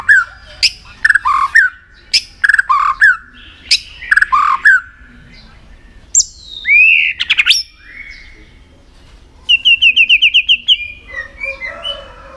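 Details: White-rumped shama, a bird trained to sing for contests: repeated clusters of sharp notes and slurred whistles, a pair of rising swoops, then a fast even trill of about ten high notes.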